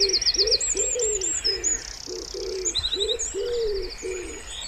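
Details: Wood pigeon at a pond in spring gives a quick run of low, throaty coos, about four per second, over loud high twittering and buzzy trills from nearby songbirds.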